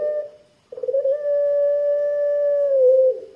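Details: Lure coo of a Barbary dove (puter pelung), thick and long 'kwook' style: a brief note fades out, then a stuttering onset swells into a steady level hum that holds over two seconds before dipping slightly at the close.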